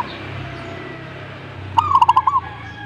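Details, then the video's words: A single answering phrase from a zebra dove: an upward-sliding coo, a rapid rolling burst of soft hollow notes, then a brief upslur to close. Low background noise is audible. "suhu perkutut jika nyaut Burungmu bagus berarti"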